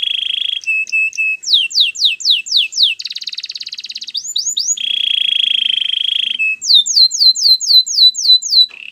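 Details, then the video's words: Canary song for training: fast trills and rolls alternating with repeated rising and falling whistled notes, a rapid buzzy roll and a sustained even trill, phrases changing every second or two. "Canary training song | Most popular canary singing"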